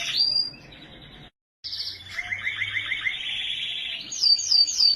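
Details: A canary in Australia sings a varied run of high notes: a bright whistle, a short break, then a fast rattling trill of repeated notes, ending in sharp, high chirps, with a faint low hum underneath.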